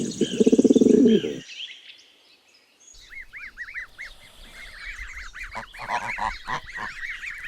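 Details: Goose: a short, low, rough honk at the start, then a pause, then a run of quick, high, arched peeping notes with some scattered clicks and rustling.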